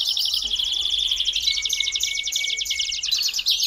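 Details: Belgian canary singing to warm up a canary: a fast continuous rolling trill over a long, steady, pure whistled tone held for about one and a half seconds.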